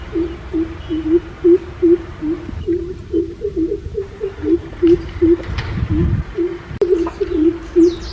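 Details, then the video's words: Greater coucal giving a long run of deep, hollow hooting notes, two or three a second, over a low background rumble. "Greater coucal sound"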